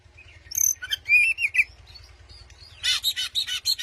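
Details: White-rumped shama provoking a rival sings clear whistled phrases with warbling inflections, a soft pause, then a harsh rapid buzzy chatter, over a constant low hum.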